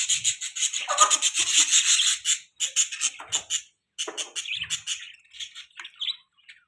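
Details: Budgerigar chirping: dense bursts of scratchy, buzzy chatter with rapid clicks and short warbled notes, pausing briefly mid-way before resuming softer.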